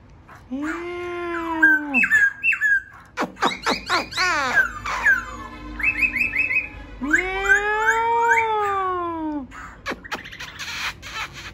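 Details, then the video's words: Varied laughingthrush song with two long, rich, arched harmonic notes separated by rapid clicking and bright whistled trills, loud and close throughout. "khướu bổi hót"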